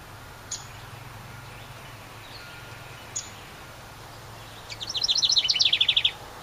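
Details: House wren at its nest in a decorative ceramic birdhouse by a cabin, landing on nearby perches, bursts into a loud, bubbling trill of rapid repeated notes that gradually descend, after two soft clicks.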